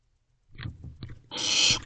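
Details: Barn owl owlet in a nest box, swallowing a rodent at 5:11 am on 6/4/23; soft rustling and faint noises, then a loud, harsh, broadband hiss lasting about half a second.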